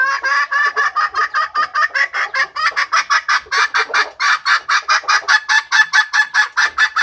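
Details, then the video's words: Female red junglefowl calling as a lure for wild males; a long, steady train of rough clucks, roughly three per second, keeps an even loudness throughout. "BUNYI AYAM HUTAN BETINA / SUARA PIKAT AYAM BETINA UNTUK PANCINGAN PIKAT AYAM HUTAN JANTAN"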